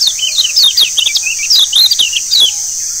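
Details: Kecial kuning, the Lombok yellow white-eye, in a lure song to get birds singing: fast, lively high twitters and slurred descending chirps packed tightly together, backed by a continuous high-pitched insect drone.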